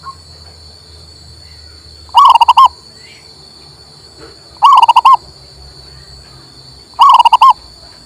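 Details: Local male zebra dove, played to stimulate a silent bird to sing: three loud cooing phrases about every 2.5 seconds, each a rising coo followed by rapid pulsed notes, over a steady high electrical hum.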